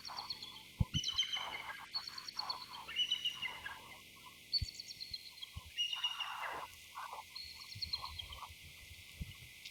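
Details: A pair of bald eagles calling to each other: bursts of thin, high, rapidly repeated chirping notes that step downward, recurring every second or so, with scattered low clicks and knocks in the background.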